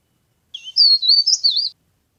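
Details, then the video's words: Leaf warbler (cikrak daun) lure call for trapping: a low-pitched opening trill followed by a loud, smooth run of high looping whistled notes, about one second long, in silence. "CIKRAK DAUN GACOR | CIKRAK DAUN PIKAT | SUARA PARE PARE GACOR"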